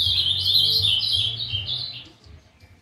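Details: Young brown-plumaged Ultramarine Grosbeak just beginning to sing: a two-second run of warbled, slurred high notes that rise and fall, fading into a quiet hum.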